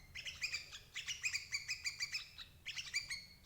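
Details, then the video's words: Chattering of a sooty-headed bulbul used to lure parent birds into traps: a quick series of crisp, stacked chirps, a short pause, then another burst of bright notes. "suara burung crucuk ampuh jebak indukan"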